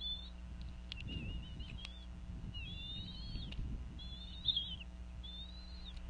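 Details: At a Northeast Florida nest in 2014, a female bald eagle calls over a fish while the adults feed eaglets around 4:40 pm: four squeaky, wavering high whistles with brief low rustling and a steady hum.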